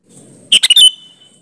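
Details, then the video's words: One short sooty-headed bulbul phrase, sung as a lure to make other bulbuls respond: three fast bubbly notes rising into a brief clear whistle, over low background hum. "suara burung kutilang gacor ampuh buat suara pancingan kutilang agar nyaut"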